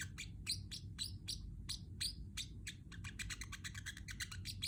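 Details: Pacific parrot chirping, offered as a friend for a pet bird: separate sharp chirps, some with short upward inflections, then a faster run of clipped notes near the end over a low steady hum.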